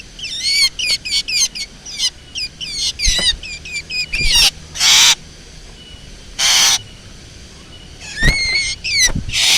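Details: Black drongo lure recording: a rapid series of short, sharp, metallic chirps repeated roughly every half second, then two long harsh grating bursts, and finally more loud chirps ending in a rasp.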